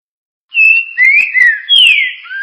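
Green-winged saltator singing loud, clear whistled phrases: a steady note, then slurred falling and rising whistles in quick succession, with no other sounds.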